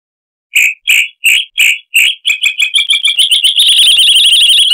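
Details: Chalk-browed mockingbird, Mimus saturninus, in a tutor recording for cage birds with a harsh voice: five spaced buzzy notes accelerate into a rapid stuttering series that merges into a continuous dense trill.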